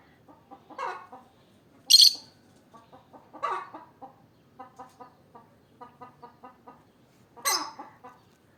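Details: Olive peach-faced lovebird mixing loud, piercing shrieks with runs of soft, rapidly repeated clicking chatter; two especially sharp screeches stand out about five seconds apart.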